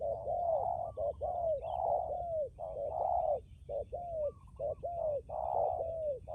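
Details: Spotted dove decoy bird known for a firm, enduring coo. Loud, rounded, downward-curving coo notes are delivered in quick series, roughly one per second, with brief gaps between phrases, against a faint low background rumble.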